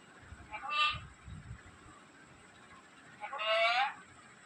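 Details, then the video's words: Talking black-capped lory: two separate voice-like harmonic phrases about three seconds apart, the second longer with a rising tone, with faint low thumps between them. "black cap lorri keet amazing voice"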